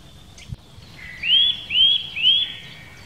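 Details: Eurasian nuthatch in the Wittlicher Senke: three loud, clear whistles, each sweeping upward, about half a second apart, after a lower flat note, over faint background noise.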